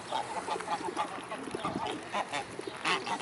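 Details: A swarm of mute swans at the Blaues Wunder on 25 May 2016, mid-afternoon; short nasal honking notes repeat in quick, uneven series, with overlapping calls from other waterbirds and a busy, noisy background.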